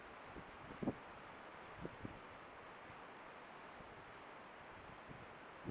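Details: Soft wind noise with a few short knocks and a faint steady high tone; no animal voices.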